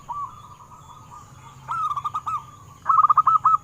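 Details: Local wild zebra dove, recorded to lure captive doves into singing: a soft, faint rippling trill, then two louder bursts of quick, clipped, hooked coos in rapid series, with a thin steady high hum behind.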